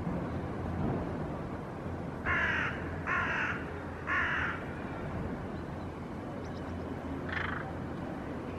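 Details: Hooded crows mobbing a young ringed northern goshawk perched on a rooftop railing, flying close and vocalizing; three harsh caws about a second apart, then a fainter caw, over steady low background rumble.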